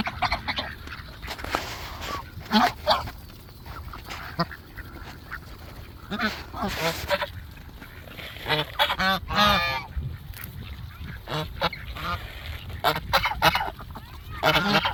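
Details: Gaggle of geese coming up together, scattered nasal honks and squawks from several birds at varying distances over steady low background rumble, with quieter gaps between bursts.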